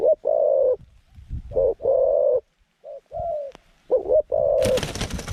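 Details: Zebra dove used as a decoy at a trap, cooing to lure wild doves, with a mid-pitched voice and long, persistent cooing; low, rolling coo phrases repeat in quick bursts with short gaps, ending in a brief noisy rustle.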